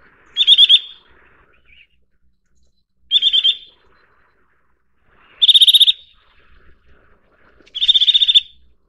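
Eurasian nuthatch giving four short bursts of rapid, high, piping notes, each under a second long, spaced about two to three seconds apart against a quiet background.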